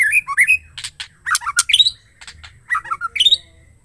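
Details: A female white-rumped shama gives a rapid jumble of sharp whistles, chips and harsh squawky notes in quick bursts, with a faint low hum underneath.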